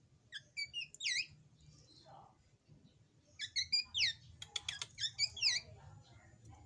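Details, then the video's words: Young drongo (srigunting) singing vigorously, described as a future champion: bursts of sharp whistled notes with bright harmonics and quick rising and falling slurs, grouped in short phrases with pauses, over a low background hum. "Kicauan Gacor Srigunting Anakan, Calon Juara"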